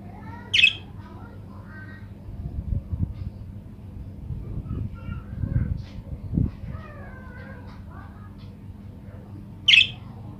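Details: Budgerigar sound used as a lure to get other budgerigars to answer and sing. Soft warbling, wavering harmonic chatter runs through the middle, framed by two loud harsh squawks near the start and end over a low steady hum.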